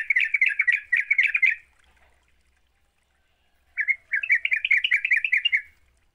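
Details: Sooty-headed bulbul in lively (gacor) song, played as a lure to get other bulbuls singing: two dense bursts of quick, warbling chatter, the second starting after a gap of about two seconds.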